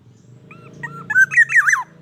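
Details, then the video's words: Wild black-naped oriole giving its natural call, used as a lure call. A couple of soft fluty notes, then a quick run of rich, slurred whistles that dip and fall at the end, over a low background hum. "suara asli kepodang emas,suara panggilan dan pikat kepodang liar"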